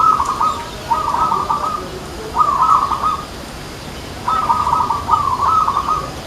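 Zebra dove cooing in soft, rapid rolling bursts around a low pitch, each phrase about a second long and repeated with short gaps; faint background hiss.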